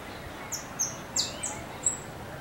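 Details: Free-living Saffron finch in song, a voice known as strong and crackling. Five quick, sharp, high chips are spread across two seconds, each a short bright burst, over low rural background noise.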